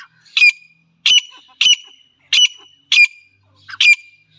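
A male partridge gives six loud, harsh, squawking notes, about one every seventh-tenths of a second, each with a ringing high overtone; little else is heard.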